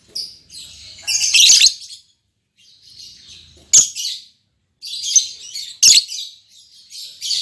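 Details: A just-paired albino MM male and lutino MM female lovebird trading loud, squeaky chirp bursts, roughly four clusters with sharp clicks and short silent gaps between them.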